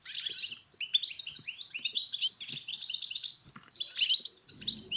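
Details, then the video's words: Goldfinch singing to stimulate a silent bird to sing, delivering rapid liquid twitters and tinkling notes strung together in busy phrases, a short pause midway, then another burst of bright chirps; faint low rustling underneath. "أقوى بتبتة الحسون المميزة في علاج الصمت"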